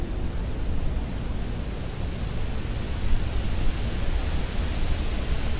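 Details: Dense, even rumbling noise like wind or distant traffic fills the recording, with no bird calls heard.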